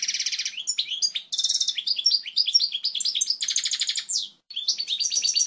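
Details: Strong, clean goldfinch song for training fledglings: continuous bubbling twitter with buzzy rattles, rapid trilled phrases and downslurred notes, one brief pause before a final tinkling trill.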